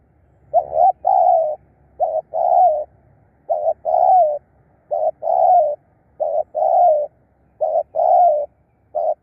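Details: Spotted dove used as a decoy to lure wild birds, giving low mellow coos in short phrases: a brief note followed by a longer, slightly wavering coo, repeated steadily about every second with short gaps.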